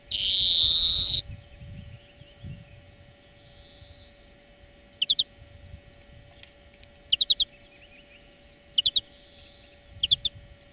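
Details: European greenfinch song for bird training, opening with a loud long wheeze, then scattered short, sharp trill bursts every one to two seconds over quiet background hum.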